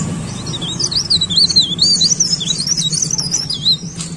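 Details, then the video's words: Leaf warbler singing: a continuous run of high, wavering whistled notes that swoop up and down like a fast ripple, with a low hum steady underneath. "CIKRAK DAUN GACOR"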